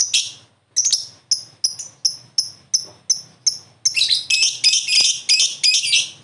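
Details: Lovebird answering another lovebird: sharp high chirps about three per second, then a louder stretch of harsh, broad, overlapping chatter toward the end.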